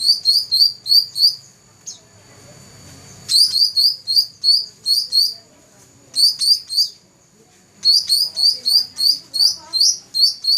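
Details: Black-throated laughingthrush, a first-place competition champion from 2014, sings bursts of sharp, high chirped notes repeated about three per second in runs of four to six, with short quiet gaps between runs.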